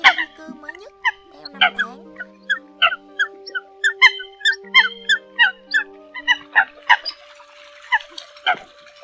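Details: Eurasian coot lure recording for trapping, late in the bird season: short, sharp, nasal harmonic calls in an irregular series, several overlapping, over steady sustained background tones.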